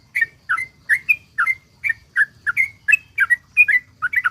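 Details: Lively sooty-headed bulbul song in the 'ropel panjang' style, used as bait to get other bulbuls singing: regular, slightly husky whistled couplets about every half second, some notes sliding upward, over a faint low hum.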